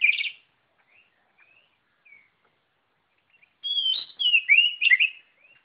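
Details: White-rumped shama: a short harsh opening note, a few soft scattered whistles, then a loud run of looping whistled and warbled notes.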